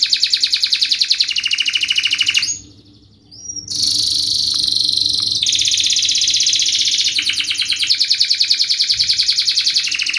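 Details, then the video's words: Singing canary used as a lure to teach young canaries to sing quickly: fast, dense, rolling trills between high and mid pitch, changing tone every second or two, with one brief pause near the middle. "Kenari gacor Speed RAPAT TAJAM ini ahlinya untuk pancingan kenari Paud belajar bunyi Cepat NgeroL"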